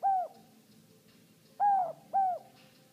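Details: Single captive male Inca dove giving its characteristic "no hope" call: one hollow coo, a pause, then two more close together, each note gently falling, against a quiet indoor background.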